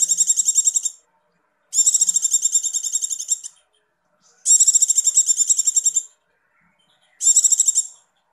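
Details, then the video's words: Shrill, quickly pulsed 'icir-icir' trills from a breeding-condition female Javan white-eye used as a lure, four bursts of rapid notes, some nearly two seconds long, with short silences between. "pleci birahi negcir icir" icir" ampuh buat pancingan"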